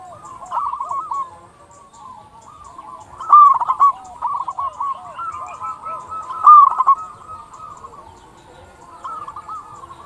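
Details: Local zebra dove song, used to lure and stir other zebra doves to sing: two loud bursts of quick staccato coos and several softer cooing phrases overlapping from other doves.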